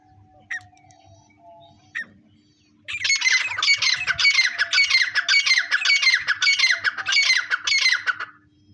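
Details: Grey francolin giving a loud, harsh rhythmic call: a rapid series of repeated squawky phrases for about six seconds after two brief chirps, with a steady low hum in the background.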